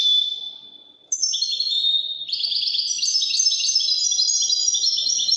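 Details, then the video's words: Widani European goldfinch singing: a fading trill, a short pause, then an unbroken run of quick, high, jingling twitters and buzzy rattles. "تغريد طائر الحسون الويداني"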